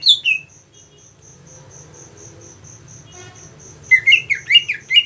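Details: 6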